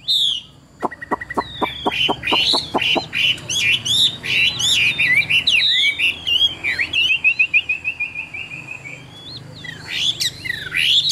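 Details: Chinese hwamei, a caged bird from Vietnam praised for good singing and voice. About ten sharp clipped notes open the clip, then a dense flow of varied whistles and slurred phrases, a sustained trill, and more loud whistles.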